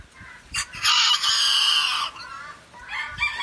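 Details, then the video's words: A rooster gives one loud, drawn-out crow lasting over a second, harsh and strained, with a shorter clucking note before and after. "GALOS CANTANDO"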